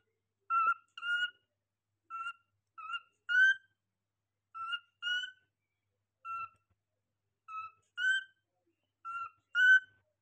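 A cockatiel gives short whistled notes, mostly in pairs, the second often rising and louder.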